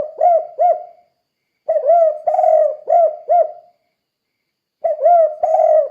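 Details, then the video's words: Spotted dove in the 'kuk 2' gacor style, for training other doves: repeated low phrases of a drawn coo and two quick rounded notes, three phrases separated by brief silences. "Suara Burung Tekukur Kuk 2 Gacor Untuk Melatih Tekukur Lain Biar Ikut Gacor"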